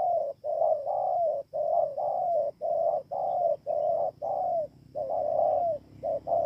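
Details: Spotted dove recorded in Kon Tum, Vietnam, on 28 November 2017. It gives a steady run of low, mellow cooing phrases, about nine in 6.5 seconds, with brief gaps between them. A faint high hum sits in the background.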